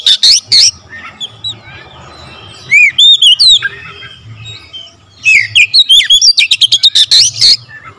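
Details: Oriental magpie-robin singing hard with varied fill-ins: a couple of loud chirps, a lull with soft notes, a cluster of looping whistles, then a long fast stream of sharp, stuttering notes.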